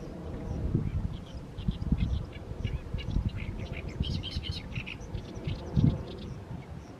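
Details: Oriental reed warbler singing in mid-May evening sunshine over a fallow field; scattered creaky chirps build into a dense grating burst midway, largely masked by heavy low-frequency rumble.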